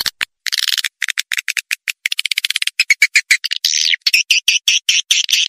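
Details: Call used to lure swiftlets, played even in remote forest areas with swiftlet houses: quick high chirps in clipped bursts, building into rapid repeated twittering notes with brief pauses between groups.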